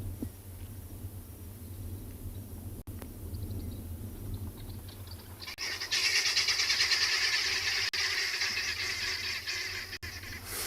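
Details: Helmeted guineafowl in a South African game reserve on an August morning burst into a harsh, rattling chorus of alarm cackles as they flee a male lion, after a quiet, rumbling start.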